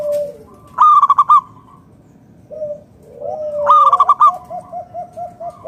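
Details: Local zebra dove of natural stock, used to prompt other doves to sing: two rapid pulsed coo phrases about three seconds apart, mixed with softer sliding coos and a quick run of short notes from neighbouring doves.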